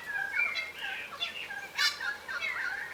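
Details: Several wary yellow rosellas, a subspecies of crimson rosella, feeding on the ground in Australia, trading short squeaky whistles and chattering notes that overlap in a loose, busy exchange, with one sharper burst near the middle.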